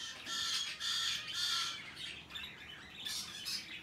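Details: Hand-tame peach-faced lovebird, recorded March 2020, giving harsh, high, buzzy squawks in quick bursts of about half a second, with short gaps between them, over a steady low indoor hum.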